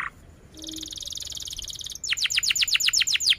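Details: Canary song, a lure to prompt and teach young canaries: a fast, even buzzy trill lasting about one and a half seconds, then a loud run of sharp descending chirps repeated about four times a second.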